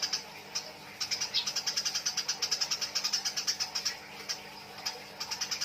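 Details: Fighting Eurasian tree sparrows make a fast stream of sharp chirps, nearly ten per second, forming a rattling chatter that slows near the end, over a faint hum.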